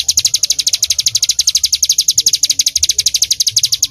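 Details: Fast, bright volley of high chips from a bar-winged prinia in 'tembakan' song, each note crisp and evenly spaced, about twelve a second, sustained without pause.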